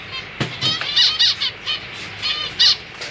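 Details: Caged zebra finch family, two parents raising three juveniles and three just-fledged chicks, 4 May 2023; a quick series of bright nasal, trumpet-like beeps with stacked harmonics, several overlapping birds calling in close succession.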